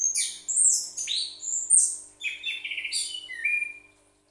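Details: Orange-headed thrush, a pet songbird, gives a quick rich phrase of sweeping whistles and rapid trilled notes, ending in a falling whistle before going quiet.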